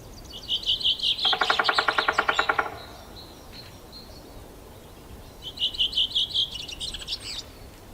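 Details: Drumming by a male three-toed woodpecker in Yekaterinburg forest parkland, 25 May 2018, on a warm spring day with its new nest cavity finished: a rapid roll of sharp knocks amid bright, repeated trilled songs of other birds before and after.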